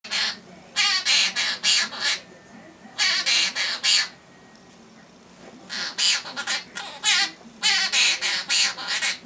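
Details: Pet male half-moon conure singing his favourite song, a mimicked nursery tune: bursts of loud, harsh, broadband squawky notes in quick strings of four to six, separated by pauses of a second or two, indoors.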